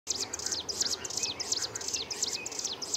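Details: Himalayan (striated) prinia in Himachal Pradesh, India, sings a fast, high, scratchy run of short chipping notes, repeated in quick bursts, over a soft background hiss.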